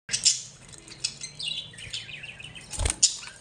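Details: Pet budgerigars kept and bred at home, giving high, thin chirps and a scratchy chattering warble, with scattered sharp clicks and a brief rustle near the end.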